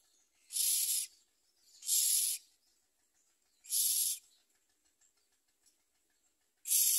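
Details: Common myna (Acridotheres tristis) chicks begging their mother for food, giving harsh, hissing rasps about half a second long in four bursts spaced one to three seconds apart, with quiet pauses between.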